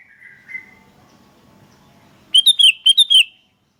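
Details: Sooty-headed bulbul in lively answering calls: a brief thin whistle, a quiet pause over a low hum, then a rapid run of six clear, bright, wavering chirps.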